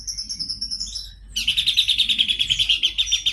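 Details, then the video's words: Horsfield's babbler (pelanduk semak) singing: a thin high whistle, then a long rapid run of buzzy pulsed notes, about three per second, held level. "Penampakan pelanduk semak gacor"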